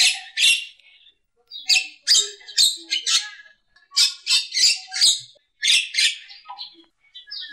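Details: Javan myna, presented as a champion bird for training other songbirds: loud, noisy screeching chatter in short bursts, roughly two to three per second in runs, broken by quiet gaps and faint squeaky notes.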